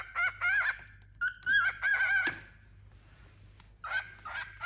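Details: A young male cockatiel, about four months old, kept as a tame pet alongside a new companion bird indoors, gives drawn-out whistled calls that waver and rise, in several bursts separated by short pauses.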